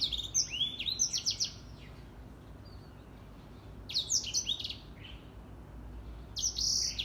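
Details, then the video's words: Grey singing finch singing vigorously in the morning: bursts of quick, sweeping whistled notes that rise and fall, delivered in phrases of about a second with short pauses between them. "Grey Singing Finch / Edel Sanger Bird Singing / Gacor di pagi hari"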